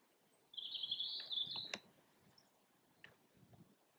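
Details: Red kite pair displaying above farmland and a garden in Yorkshire, midday on a grey overcast 24 February 2021: a single thin, wavering whistle held for over a second, then faint clicks and quiet background.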